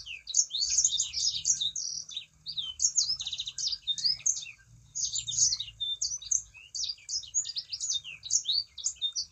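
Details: Sangihe shrike-thrush, a kept songbird, singing persistently as a lure recording to prompt other birds of its kind to sing: dense, rapid, high twittering and chattering phrases with slurred notes, in near-continuous bursts with brief pauses.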